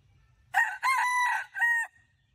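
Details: Rooster on a rural farm crowing one clear, loud cock-a-doodle-doo in three connected parts: a short rising opening, a long held middle note and a final drawn-out phrase, set against quiet background.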